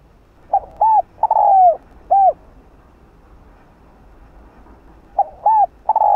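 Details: Spotted dove cooing to lure and excite other doves: two phrases about four seconds apart, each of short hollow notes and a long downward-slurring coo, soft background hiss between.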